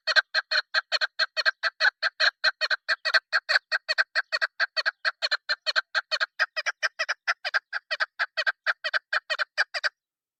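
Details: Female chukar partridge call used by hunters: a long, fast, evenly paced string of dry clucking chuck notes, more than two per second, continuing for about ten seconds in a quiet setting.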